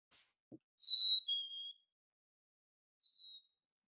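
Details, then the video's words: A Black-capped Chickadee, recorded on January 25th one winter, whistles its clear two-note fee-bee song, a high pure note dropping slightly lower, then starts another high whistle; a soft knock comes first. "righty, what we have just heard is, and I think many of you all recognize this, a black-capped chickadee that"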